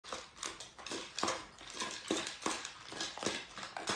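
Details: A pet talking budgerigar (Melopsittacus undulatus) chatters in a fast, scratchy stream of clicks and buzzy warbled notes.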